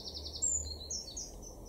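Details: Eurasian blue tit in a garden in Weener, East Frisia, northwestern Germany, in May 2024, giving a quick run of high, thin notes followed by a few slurred high whistles against a low background hum.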